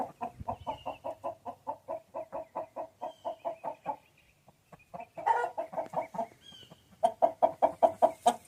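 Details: A chicken clucks in a fast, even series, pauses briefly, then returns with louder, denser clucks mixed with a few rougher notes, ending in another rapid run.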